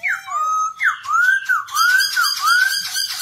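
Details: Black-throated laughingthrush sings as it dances, for training young birds: a sharp downslurred note and a low whistle, then a steady series of arched, rising-falling whistles repeated roughly every half second.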